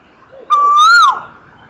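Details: Asian koel (Eudynamys scolopaceus) singing: a single loud, clear whistled note that swells slightly upward, then drops sharply at its end, over quiet background.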